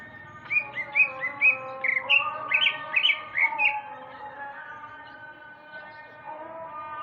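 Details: Afternoon song of a male greater green leafbird from Sumatra: a lively run of bright whistled notes, upslurred and downslurred, delivered rapidly for about three seconds, then quieter, with a constant humming drone underneath.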